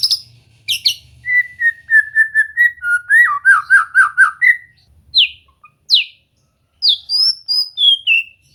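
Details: White-rumped shama singing during relaxed training to encourage it to sing: a varied phrase of repeated even notes, then a fast warbled trill, followed by sharp falling whistles and high slurred notes with short pauses.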